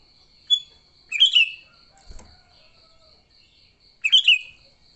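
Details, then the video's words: Sooty-headed bulbul fighting song used for luring: a single whistled note, then two bursts of bubbly, descending chirps about three seconds apart over a steady high insect-like whine and a low thud. "Suara Burung Kutilang Gacor TARUNG Tanpa isian, Ampuh untuk pikat Kutilang jadikan Kutilang ribut."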